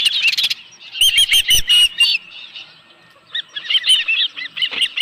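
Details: Osprey at a nest with a live fish: high chirps in short bursts, then clattering knocks, a pause, and a new run of slurred chirping.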